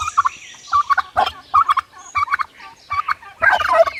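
A turkey gobbles in quick, rattling bursts of throaty, bubbling notes, about five or six bursts over four seconds.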